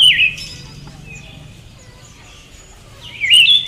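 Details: Female Siberian thrush: a downward-slurred call with a short upturned tail at the start, quiet hiss for three seconds, then a longer wavering call near the end.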